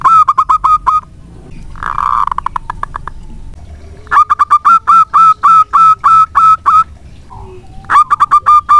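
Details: Local zebra dove in active song, used to lure other birds into singing: quick stuttering coos, then a rough noisy passage, then a long regular series of cooing notes, with a final run at the end.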